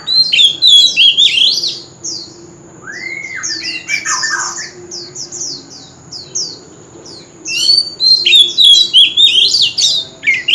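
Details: Oriental magpie-robin, an old wild-caught bird, singing loudly on a street corner: bursts of varied, clear whistled and slurred notes, some rising and falling. A quieter middle section has lower curved notes, and a steady high whine runs throughout.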